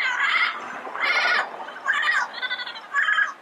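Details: Wild yellow-headed parrots making drawn-out, hoarse squawks and nasal calls, four bursts in a few seconds.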